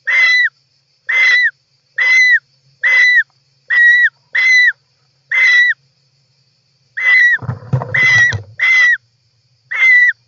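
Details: European roller inside its nest on 18 July 2024, interior camera: about eleven harsh rasping calls with a sharp drop at the end, repeated every half to one second, with a burst of scuffling midway.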